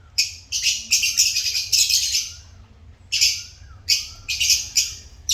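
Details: Pet lovebirds in busy, shrill chirping, fast runs of harsh high notes broken by short pauses, with a quiet wavering whistle underneath.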